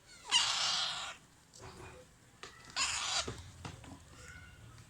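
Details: Young Alexandrine parakeets during hand-feeding give two harsh, hissing, raspy squawks about two and a half seconds apart. The first is longer. Soft rustles and faint indoor sounds fill the gaps.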